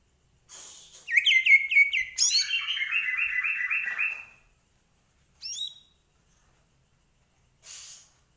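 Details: Medan-type white-rumped shama delivering a rapid rattling trill of repeated chattering notes lasting about three seconds, then a brief high twittering phrase and quiet gaps.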